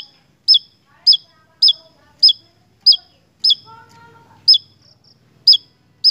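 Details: High, sharp, hooked notes of a Javan tesia in Indonesia repeat about twice a second. Faint lower bird chatter and a brief soft tonal sound run underneath midway. Lure recording for songbird keepers.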